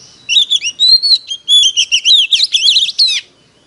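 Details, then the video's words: Oriental magpie-robin used as a decoy, singing in competition: about three seconds of loud, rapidly delivered whistled notes, alternating clear sustained tones with rolling, looping slurs and quick trills. "Chích choè than hót đấu"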